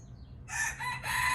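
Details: Indian red junglefowl rooster crowing: a loud, harsh, buzzy crow in two bursts, a short rising phrase then a longer held one, over a low steady background rumble.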